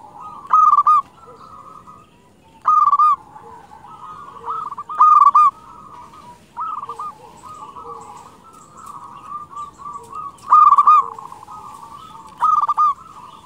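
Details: Singing local zebra dove used as a lure to attract wild doves. Loud rolling coo phrases repeat roughly every two to three seconds. A continuous chorus of fainter, wavering coos fills the gaps, possibly other doves.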